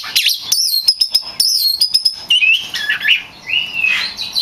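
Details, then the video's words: Oriental magpie-robin (kacer), a champion singer recorded as training song for other kacer: rapid high clicks and repeated sliding whistles, then lower rich warbled phrases rising and falling. "Suara burung kacer gacor juara untuk melatih mental kacer Anda"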